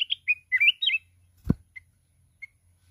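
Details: A mountain red-whiskered bulbul sings fiercely in contest with a 'kít bổi' forest voice while flapping its wings. A quick run of bright warbled whistles fills the first second, then a sharp click and two soft chirps.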